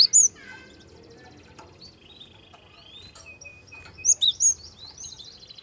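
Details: Soft lure song of Java sparrow meant to get young birds singing: a quick high chirp opens, then gentle twittering and a drawn-out buzzy whine, ending in a burst of three ringing high notes.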